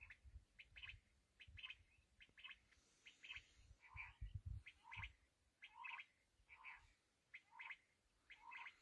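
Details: Black francolin (kala teetar) calling: a harsh, grating multi-note phrase with a low buzzy note and higher scratchy notes, repeated roughly every half second to second, with low rumbling background noise.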